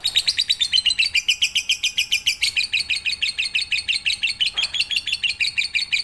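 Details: Lovebird in full pigter song, recorded as night training audio: strings of shrill, buzzy chirps repeated quickly and unevenly, with brief pauses between bursts.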